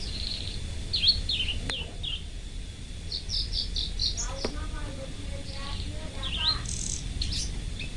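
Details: Caged local bush lark, parva type, singing loudly and persistently: a quick varied run of high chirps, short trills and slurred notes, with steady low rumbling background noise.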